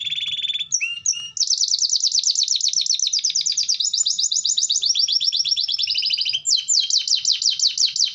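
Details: Canary singing at length to prompt other canaries to join in: a few whistled and clipped opening notes, then a sustained, very rapid high trill that changes speed and pitch in stages.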